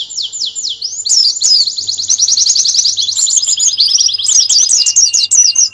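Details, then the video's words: Canary master song used to train birds for national singing competitions: high, fast trills of repeated rising and falling sweeps in long rolling runs, loud and continuous, with a faint low hum beneath. "Masteran kenari terbaik untuk persiapan lomba nasional"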